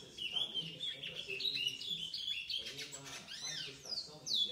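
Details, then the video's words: Seven-month-old chestnut-bellied seed finch, recorded 4 August 2019, singing a fast, continuous high warble of sweeping whistled notes and rapid trills, with a human voice talking softly underneath. "Curió Pardo - 7 meses"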